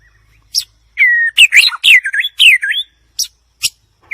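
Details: White-rumped shama song of a level whistle followed by a quick run of varied warbled and looping notes, then sharp isolated high clicks with pauses between them.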